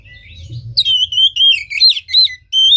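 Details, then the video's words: Oriental magpie-robin singing, played as a lure to stir a lazy, non-singing caged bird lacking breeding drive: after a faint opening, a loud, varied run of rich whistled notes, slurs and quick trills, ending on a steady high whistle. "Pancingan KACER malas bunyi macet kurang birahi"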